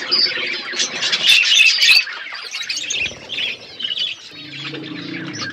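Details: Wild parrots calling: loud clusters of shrill squawks and chattering chirps at the start, fading to sparser, softer calls over a low background hum toward the end.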